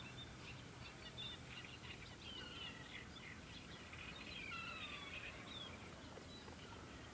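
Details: White wagtail (Motacilla alba) giving faint, sharp chirping notes in irregular bursts over steady outdoor background noise.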